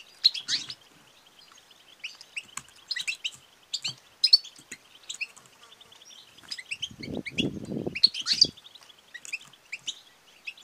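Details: A female European goldfinch gives calls meant to rouse males to sing and mate: scattered high chirps and twitters over a steady thin background, interrupted by a stretch of low rumbling noise.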